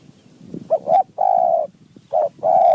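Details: Wild spotted dove answering a decoy: a brief, loud phrase of deep coos, with a short note, a longer steady middle note, then two more clipped coos, over faint rustling.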